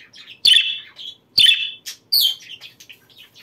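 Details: Budgerigar chirps used to encourage breeding: two loud, sharp squeaky calls about a second apart, then a third harsh note and softer scattered twitters.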